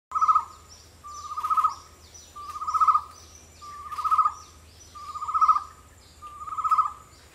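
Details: Chestnut-necklaced partridge in Borneo calling with a series of six throaty phrases, each a quick run of pulsed notes building in loudness, repeated about every 1.3 seconds, over steady high insect buzzing.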